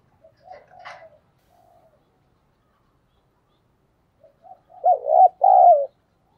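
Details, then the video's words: Thổ-style spotted dove used as a lure: soft scattered notes and a brief click, then one loud two-part coo, a dipping note followed by a longer falling one. "cu gay kich boi nhanh noi gù"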